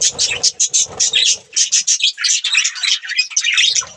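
Budgerigars chirp in quick, high, scratchy bursts, with several birds chattering over one another.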